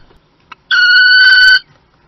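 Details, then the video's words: Peregrine falcon at the nest in Théding on 28 April 2020, calling during a prey exchange: one loud, steady, drawn-out call of nearly a second, with a clicking sound just before it. "Echange de proie"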